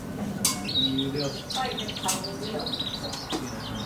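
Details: Young goldfinch hybrid aged two months singing: a rambling run of high twittering and warbled notes through most of the stretch, mixed with clicks and some low background noise.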